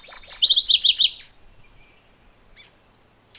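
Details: Loud MacGillivray's warbler song: quick buzzy notes dropping into several lower slurred notes. A faint, evenly spaced series of thin high piping notes follows.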